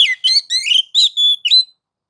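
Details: White-rumped shama singing in the ngobra and nagan style, used to provoke other shamas into singing: a short run of clear whistled notes with harmonics, some rising, some level and held, in quick separate bursts.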